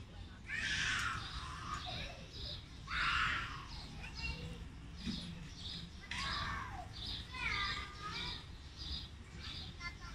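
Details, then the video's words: A common raven at Berendeevo zoo gives four or five hoarse, grating calls every two to three seconds over a steady low background rumble. "Как на самом деле выглядит и кричит ворон"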